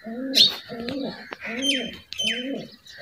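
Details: White pet pigeons kept at a house give low, throaty rolling coos in short repeated phrases, about two every second, with thin, high whistled chirps from small birds behind them; Pigeon.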